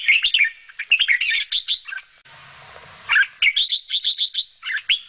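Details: Bulbul chicks fed by their mother give rapid, piercing chirps in quick runs, broken by a short hissing pause, then resume with even, repeated squeaks.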